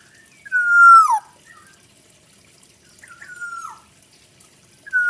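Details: Black-naped oriole delivering full isian song: a loud, nasal, level note ending in a falling twist, a softer similar note about two and a half seconds later, then the start of a third.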